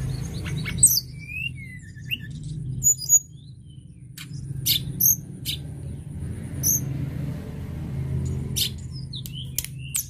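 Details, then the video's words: Lark song (tledekan gunung), meant to prompt other larks to sing: sparse, thin high chirps and short downslurred whistles come at irregular intervals above a strong low background rumble. "Tledekan gunung gacor"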